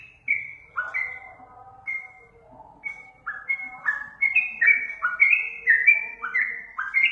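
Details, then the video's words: Sooty-headed bulbul, called trucukan, in a master recording to prompt caged birds to reply: sparse single whistles at first, then a fast run of bubbly, two-toned whistled notes building in the second half. "masteran untuk burung trucukan di jamin langsung nyaut"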